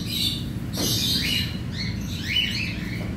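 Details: A colony of about 100 cockatiels in an aviary, during daily cage cleaning, gives harsh, rising and falling squawks and chirps that overlap in busy flock chatter over a steady low rumble.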